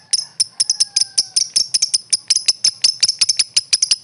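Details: Lovebird trained for singing contests producing quick, uneven bursts of sharp high chirps, sometimes doubled, in a steady chattering stream.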